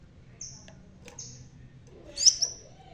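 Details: Crimson sunbird with a red tail and a bald head, still singing actively: a few thin, high drawn-out whistles, then a sharper squeaky double note near the end, over a quiet low hum.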